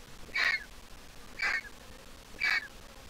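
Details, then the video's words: Well-grown griffon vulture nestling from the Jerusalem Biblical Zoo repeating a short, thin squeak three times at one-second intervals, each note scratchy and ending in a small downward flick. "The Griffon Vulture nestling is all grown up but still a squeaker."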